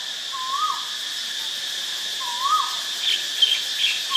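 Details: White-vented myna, also called crested or black myna, recorded at Ubon Ratchathani, Thailand, on 8 March 2022: two rising-then-falling whistled notes about two seconds apart, with a steady high insect hum and faint chirps behind.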